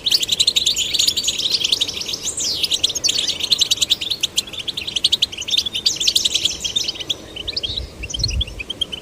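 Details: Captive young goldfinches, male and female, prompted to sing; rich, continuous liquid twittering with quick up-and-down slurred notes and jangling trills, thinning slightly near the end before a low bump.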